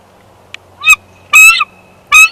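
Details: Bald eagle pair at the Big Bear nest during a nest switch on 1 March 2021, while incubating the second clutch: three loud, shrill, harmonic squealing notes with short gaps between them, over a low steady hum.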